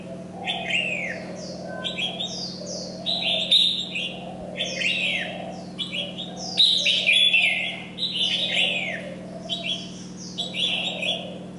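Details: Red-whiskered bulbul kept as a decoy bird, singing energetically while molting: short, bright whistled phrases with rising and falling swoops, given in quick bursts with brief pauses, over a steady low hum.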